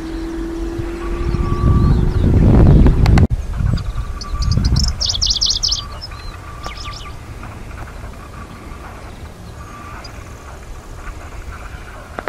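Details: Wildflower-meadow singer of Hokkaido, a Middendorff's grasshopper warbler in 2023, delivers one rapid scratchy phrase of clustered notes, then faint fragments, after a loud wind gust and handling thump; a steady high tone runs throughout.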